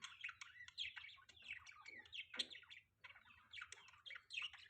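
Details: Pet budgerigars chirping on a morning in mating season: a dense, busy chatter of warbled, squeaky chirps and short rising and falling notes that run almost without a break, with brief pauses near the middle.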